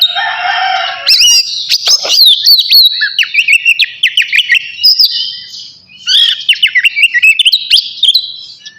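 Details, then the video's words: Kacer navy oriental magpie-robin in lively song before bathing: a harsh opening note, then bursts of quick whistled and chipping phrases, a short lull, and another fast twittering run. "KACER NAVY GACOR SIAP MANDI"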